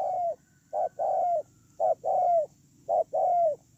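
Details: Decoy spotted dove on the ground, recorded 8/10/2018: three evenly spaced coo phrases, each a short note followed by a longer softly descending coo, clear and near with quiet low background noise.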